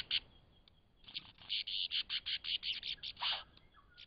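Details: Lyrebird song in Cape Liptrap Coastal Park: a fast run of loud, rhythmic pulsed notes, roughly three per second, each bright and rasping, ending in a broader harsh burst over background hiss.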